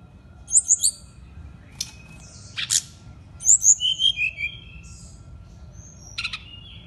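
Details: A brown-chested jungle flycatcher sings short bursts of high, clear whistles and slurred notes, with a few sharp clicks between phrases; a small bird kept as a singing songbird.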